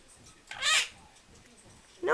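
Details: A pet Quaker parrot (monk parakeet) that talks, saying phrases like "hi baby" and "tickle tickle", gives a short, squeaky, speech-like burst, with another starting at the end.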